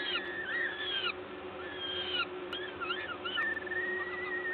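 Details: During a parent's feeding visit at a Gdańsk peregrine falcon nest, Poland, 14 May 2022, 11:07: long wheezy whines followed by shorter hooked squeals and a level thin note, with constant background hum.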